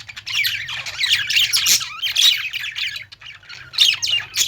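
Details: Parakeets (budgerigars) singing in a pet store with lovebirds: a busy mix of harsh squawks, rapid chirps and warbling phrases, loud clusters followed by a quieter stretch and a final burst.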